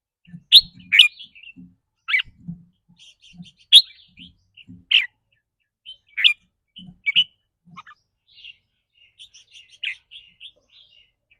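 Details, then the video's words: Red-whiskered bulbul repeating sharp chirpy 'rik' notes, described as rapid or doubled depending on its mood each day. Bright calls come every second or so over several seconds, with faint low taps in between. "ริ๊กรัวๆ คือเรื่องปกติ"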